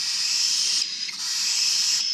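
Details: Cockatiel chicks, the last of the year from a 2021 aviary, begging while being hand-fed: a continuous high, wheezy rasping hiss with only brief dips in loudness.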